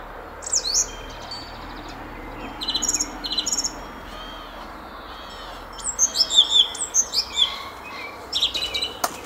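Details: Song thrush in song in a garden at Szalkszentmárton, 06:15, 10 April 2021: scattered high whistles and buzzy trills early, then a rapid repeated series of sharp looping notes, over faint steady background hum.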